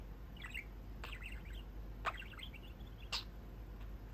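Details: Caged male budgie sitting by his cage window and chatting to the people beside him; brief bursts of high twittering notes roughly once a second, with a few sharp clicks and low household hum underneath.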